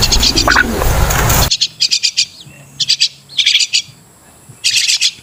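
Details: Crested myna, known locally as Martinez bird; loud broadband noise for the first moment, then short clusters of harsh, high chattering notes repeated with brief gaps.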